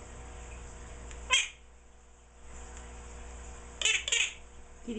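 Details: A 16-year-old pet Quaker parrot indoors, giving a sound its owners find the most annoying yet cutest, repeated endlessly: one sharp harsh squawk, then after a pause a quick double squawk, over a steady hum, with a person speaking softly.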